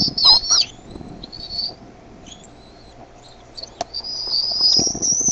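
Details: Bald eaglets get noisier in the nest when the mother brings food; two quick loud squealing notes, then a thin wavering whistle, a pause with a click, and a long steady high whistle building to the end.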